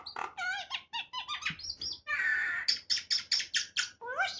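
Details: A talking myna giving a rapid run of harsh, harmonic chattering syllables, then a buzzy sustained note, followed by about eight sharp clipped calls repeated at a quick, slightly uneven pace and a final rising squawk.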